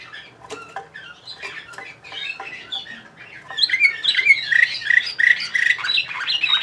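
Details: Bulgarian canary, Sofia, 2020, opening with sparse quiet clicks and chirps before building into a dense, loud warble of rapid rising and falling whistled notes over the final three seconds.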